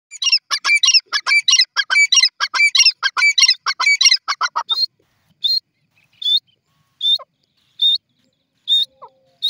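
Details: Grey francolin calling in the morning, a rapid burst of loud, harsh, metallic high notes running together, then slowing into single sharp notes spaced about a second apart.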